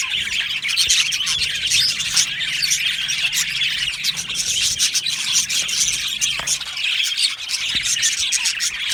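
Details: Continuous twittering from an Australian budgie colony kept in an aviary, a dense high chorus of chirps and scratchy warbles from many birds over the whole stretch.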